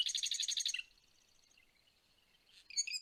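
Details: Marsh wren song played back, at the season when birds arrive on territories to build proper nests and dummy nests that thwart predators: a loud, rapid, buzzy rattling trill for almost a second, then a softer fading rattle, and a brief burst of sharp notes.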